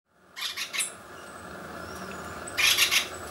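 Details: Acorn woodpecker at Rancho Miriam, San Gerardo de Dota, San José, Costa Rica: two groups of three harsh, raspy, broadband notes, the first near the start and the second near the end, with a steady low hum between.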